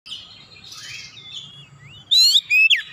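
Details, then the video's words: Oriental magpie-robin song, a kacer singing with full varied phrasing: thin high sliding whistles, then loud bright rising and falling whistled notes in quick bursts near the end. "kicauan kacer nembak nembak bongkar isian"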